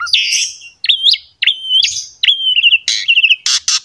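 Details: Asian pied starling giving drawn-out whistles that rise and fall, ending in wavering trilled whistles and two harsh noisy bursts, a song used to coax young starlings to sing.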